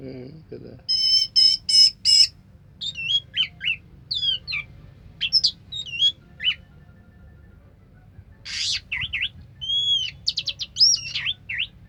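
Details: Orange-headed thrush in 'sampai teler' song: loud stacked chattering notes, then a long varied series of sharp upswept and twisting whistles with short gaps, some sounding mimicked.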